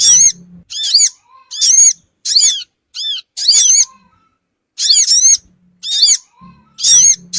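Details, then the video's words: Sogon bird call used as a lure for small wild birds: repeated bursts of high, sharply arched squeaky notes, sometimes doubled, across a quiet background. "suara pikat burung Sogon ampuh cepat ngumpul"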